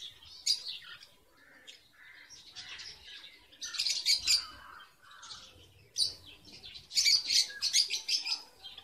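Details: Strawberry finch, or red avadavat, nesting in a cage on 24 February 2017 with a male not yet red; bursts of high, squeaky chirping notes in clusters, loudest near four and seven seconds, with quiet gaps between.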